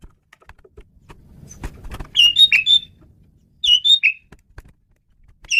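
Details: Male Asian pied starling song used as a lure: two phrases of clear whistled notes with rough chattery edges, separated by a short gap, with faint background rustle and a final note at the end.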